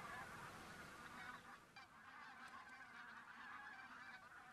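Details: A large flock of geese flying from the fields to a lake to rest for the day honks in a dense, continuous chorus of nasal, overlapping calls, several per second, over steady hiss.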